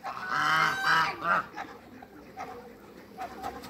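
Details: Eight Toulouse and African domestic geese meeting new geese give loud, harsh, nasal honks, two long blaring calls in quick succession then a shorter one, followed by softer scattered honks over background noise.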